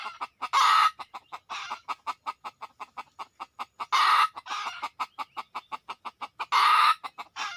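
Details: Red junglefowl drawn in by a decoy, arriving in numbers within two minutes: a dense train of sharp clucks about five per second, with three strong, hoarse, crowing-like bursts between them.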